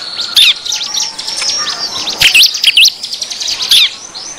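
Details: Bar-winged prinia lure call meant to attract wild birds: a busy jumble of high scratchy chirps and wavering whistled notes, several louder sharp bursts standing out.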